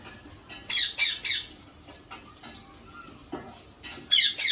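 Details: Indian ringneck parakeet, a pet parrot, giving harsh, noisy squawks in short clustered bursts near the start and again at the end, with quieter scratchy chatter and a few faint thin tones between.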